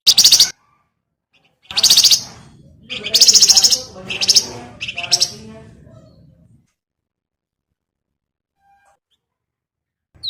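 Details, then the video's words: Javan grey-throated white-eye singing as a training master for cage birds: several sharp, scratchy buzzing bursts that fade into quiet rustling, then a long silence. "BURUNG WERGAN JAWA GACOR COCO JADI PANCINGAN MAUPUN MASTERAN"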